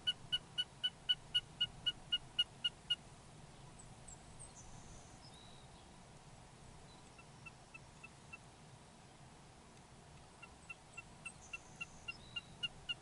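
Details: Wilson's snipe at Rosedale, Alberta, Canada, a wetland sandpiper, gives rapid, evenly spaced, sharp calls, about four a second, in bursts; thin whistles from another bird and a low rumble are also heard.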